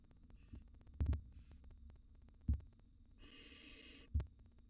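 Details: Wild barn owl nestlings in a monitored nest box react to an intruding cockroach. One harsh, breathy hiss lasts under a second, set among dull thumps and knocks and a low steady hum.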